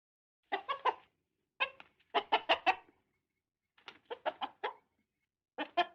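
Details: Hen clucking: short bursts of harsh, rapid clucks in clusters of three to five notes, separated by brief pauses, with nothing else heard.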